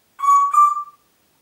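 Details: Congo grey parrot kept at home in Diebach near Hammelburg, Germany, 4 April 2012, giving one pure, level whistle in two joined parts, bright and slightly buzzy with strong overtones, fading at the end in a quiet room.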